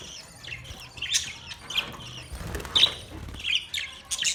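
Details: Budgerigar colony with scattered bright chirps over a softer background twitter, separate sharp notes standing out at irregular intervals of roughly a second.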